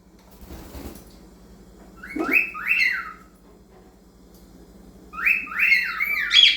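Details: A male cockatiel sings clear, slurred whistles to teenage cockatiels in two short bursts of rising and falling notes.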